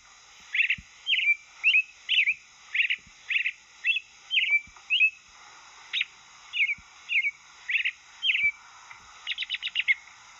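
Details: An American robin sings in Patty Canyon's riverine forest, a steady run of slow-progressing clear, rich, whistled phrases, roughly two per second, ending with a quick burst of higher chips; contrasted with the similar western tanager song.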